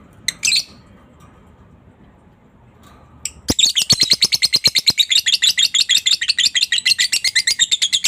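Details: Lovebird ngekek to stir other lovebirds into chattering: two short sharp chirps, a quiet gap, then about five seconds of fast, steady, shrill rattling pulses.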